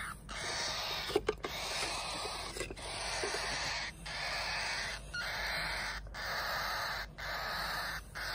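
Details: Hand-fed baby cockatiels, two same-day siblings of unequal size, give harsh grating begging cries at feeding time, long rasping bursts separated by short silences, with a few louder clicks near the start.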